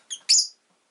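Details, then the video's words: Brief double chirp from a pet rosy-faced lovebird, a softer note followed by a louder harsh one. "Lovebird Chirping Sounds"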